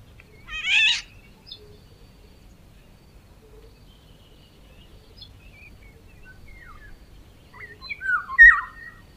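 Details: Eurasian golden oriole with a harsh, cat-like rasping screech at the start, a few scattered soft notes, then a brief run of fluty whistles near the end.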